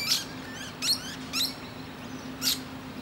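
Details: A musk lorikeet resting on a tree branch calls to other birds with a few short, sharp squeaky screeches spaced irregularly, over a quiet low background hum.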